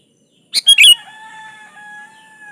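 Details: Sooty-headed bulbul in lively song, used to provoke a rival: one quick phrase of three sharp chirps ending in a bright slur, followed by a faint steady lower tone fading out.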